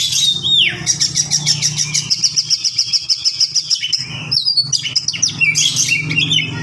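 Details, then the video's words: Oriental magpie-robin (kacer) in a long, continuous rolling song meant as a tutor recording for other birds: rapid high chirps and trills, a sustained buzzy stretch, then bright whistled phrases, over a steady low engine-like hum. "KACER NGEROL PANJANG UNTUK MASTERAN"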